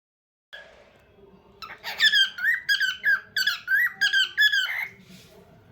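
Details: Bird singing indoors in a small room: after a short quiet start, a run of squeaky, warbled whistles with bending pitch, about seven phrases in quick succession, then fading to quiet room hiss.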